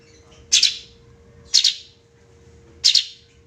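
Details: Sooty-headed bulbul, known locally as cucak cungkok, giving three short, harsh, noisy chirps spaced about a second apart, with a steady low electrical hum underneath.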